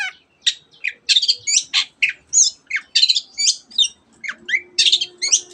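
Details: Long-tailed shrike pouring out dense mimicry of canary and many other bird species. The rapid, varied phrases mix high whistles, twittering runs, sweeping slurs and scratchy chatter with almost no pauses.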